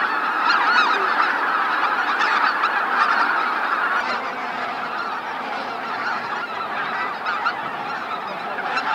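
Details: Greater white-fronted geese flying in to roost at the Miyajima-numa marsh, Bibai, Japan, 2016; rapid overlapping honks from a vast flock, louder and nearer at first, then easing slightly while the chorus carries on.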